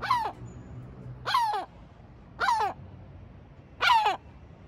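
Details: A sea gull at Batumi gives four harsh, slurred, downward calls, each short and spaced about one to one and a half seconds apart, over faint background noise.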